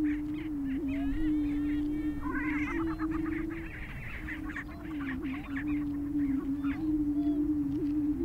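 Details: Displaying prairie chickens on a Minnesota, USA booming ground: an unbroken deep booming drone overlaid with busy clucking, cackling and squealing calls.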